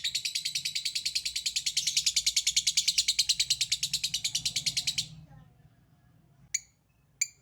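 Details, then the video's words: Lovebird 'ngekek': a continuous rapid high rattle of even, buzzy pulses for about five seconds, stopping abruptly, followed by two isolated sharp ticks. "Burung Lovebird Memanggil Di sertai Ngekek, Di Awali ngetik lanjut ngekek"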